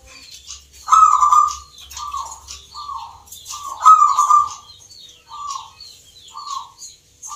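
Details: Local perkutut, or zebra dove, singing in a Yogyakarta, Indonesia contest for Nglagu Ngepat Mentaraman rhythm; two long rolling coos about three seconds apart, each followed by short clipped notes, amid busy high chirps from other caged birds.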